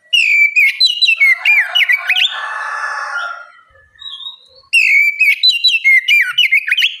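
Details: Oriental magpie-robin singing a vigorous, open bait song to coax young birds into answering: rapid chains of clear slurred whistles, a hissy rushing break in the middle, then another energetic run of bright phrases.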